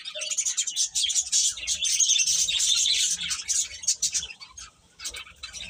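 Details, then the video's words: Many chicks chirping rapidly, roughly three peeps per second blending into a loud high chatter that fades near the end. "Cute Chicks Chirping Sounds"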